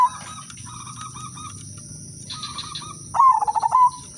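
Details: Zebra dove, udanmas silver style, singing as a lure for other doves: soft distant cooing phrases from other birds, then one loud close phrase near the end, a quick burst of staccato coos finishing on a longer note.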